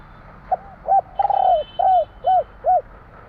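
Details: Spotted dove (tekukur jawa) in 'kuk 3' song: a brief note, a doubled coo, a long wavering descending coo, then three rounded hollow coos evenly spaced. A faint higher tone is heard in the background.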